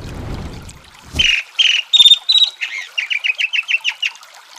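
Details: Chalk-browed mockingbird song: a few harsh, broad squawky notes and two clear whistled notes, then a quick run of about ten repeated chevron-shaped chirps; soft low rumble of flowing water at the start.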